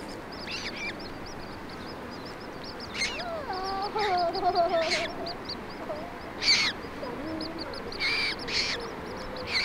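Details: Common moorhens (Gallinula chloropus) in Germany at feeding time, a mother tending her fluffy chicks: low, nasal, wavering calls from the adult, over a steady run of thin, high peeping from the chicks and a few sharp clicks.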